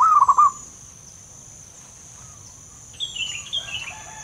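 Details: Wild zebra dove (Geopelia striata) giving a brief, bubbling run of soft, low coos; later another bird's high chirps break in over a steady insect whine.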